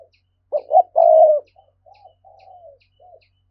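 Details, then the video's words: Spotted dove in the urging 'gáy thúc' cooing style, played to stir up wild doves: a loud short double hoot and a long drawn coo, then softer mellow falling notes, and a fresh phrase beginning at the end. "Giọng cu gáy thúc hay, anh em mở lên kích bổi rất hiệu quả"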